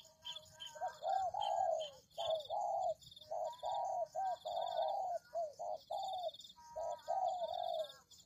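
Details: Spotted dove cooing, played as a trapping lure; a steady series of short, hollow, low hoots in clustered phrases, roughly one per second, against a faint high-pitched electronic whine.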